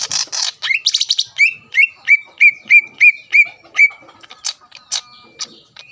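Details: Greater green leafbird singing to stir rival leafbirds: harsh chatter opens into a steady series of about nine clear whistled notes, evenly spaced, followed by scattered sharp chips.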